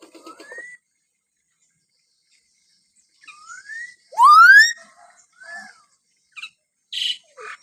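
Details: Common hill myna producing its characteristic whistles: rising clear whistles, a loud upward-sweeping whistle, an arched note and short harsh clicks and bursts, with silence between.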